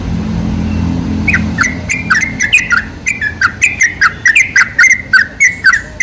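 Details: A sooty-headed bulbul lure recording: low rumbling hum at first, then from about one second a lively run of liquid, gurgling whistled notes builds and continues to the end.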